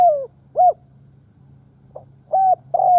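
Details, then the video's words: Decoy spotted dove calling to attract others: the tail of a falling coo, an arched short note, a pause, then a brief note, a flat coo and the start of another, above a steady low background hum. "Tiếng Chim cu mồi đất gáy kích bổi nhanh nổi"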